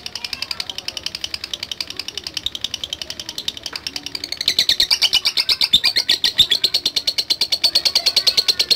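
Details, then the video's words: Lovebird answering a lure recording, giving a fast ticking chatter of high, sharp chirps, roughly three per second. The chirps grow louder and denser in the second half over a steady high hiss, apparently indoors. "Sekali Pancing Pasti Love Bird Nyaut Dan Bunyi | Love Bird Ngetik Dan Latah"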